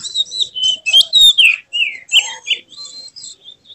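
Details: White-rumped shama in an emotional display with tail spread, singing a rich varied song of whistled and slurred phrases, rising and falling notes mixed with buzzy high trills, delivered in quick bursts.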